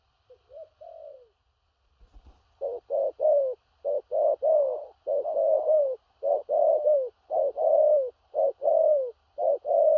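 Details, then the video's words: Spotted dove with stuttering "gù cà lăm" coos in the "thổ rặc" style. A soft opening phrase is followed by a loud, rapid run of clipped blocky coos, paired short and long, in quick succession. "Cu Gáy/THỔ RẶC ÂM KHỦNG/Clip455/Nước Xa Thúc Kèm Gù Cà Lăm"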